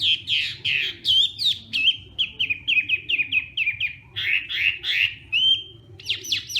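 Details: Hwamei practising its morning song delivers loud, clear whistled phrases: a rapid series of repeated slurred notes about four per second, interspersed with rising whistles and sharp high trills near the end.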